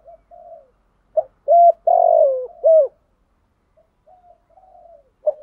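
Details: Captive spotted dove used as a decoy, cooing to lure wild doves: soft low coos near 600, with a loud burst of three strong hooting notes in the middle, then quieter trailing coos; quiet surroundings.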